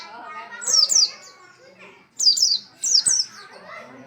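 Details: An Oriental white-eye sings vigorously in bursts of high, sweet, falling whistled phrases. Quieter murmuring sounds lie underneath.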